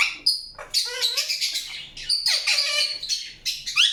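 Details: Rapid scratchy chirps from an Indian ringneck parakeet, dense clusters of harsh notes with a few clearer whistled tones and downward-sliding calls, nearly unbroken throughout.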